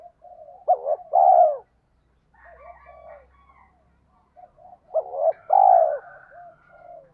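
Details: Lure-call spotted dove, 'tiếng thúc' style: two cooing phrases, each a short hooked note then a longer hollow coo, separated by a quieter stretch of soft murmuring notes and a faint low hum.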